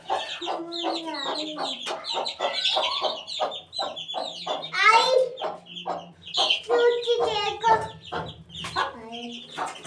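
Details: Chicks aged eighteen days cheeping busily: dense runs of short, high, downward-sliding peeps with some longer trilled notes, overlapping continuously, plus a low background hum.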